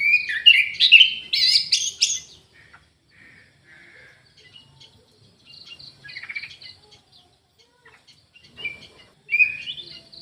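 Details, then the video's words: Orange-headed thrush singing in an aviary: a loud, rich jumble of whistles and buzzy trills for two seconds, then faint thin notes and quiet twittering fragments, ending with another short louder phrase. "ANIS MERAH GACOR"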